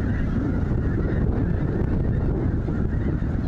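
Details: Snow geese by the thousands at Linton, Indiana's Goose Pond Fish & Wildlife Area produce unbroken, overlapping nasal honking, loud and dense, above a heavy low-frequency roar.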